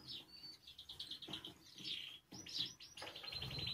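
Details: Spanish timbrado canary song for song learning: varied short whistled notes and looping chirps, broken by clicks and knocks, with background rustling.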